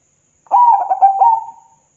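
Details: Zebra dove singing to provoke replies: a single phrase just over a second long of hollow, stuttering coos in rapid beats, a brief rise, then a smooth fading close, with a faint steady high hum behind.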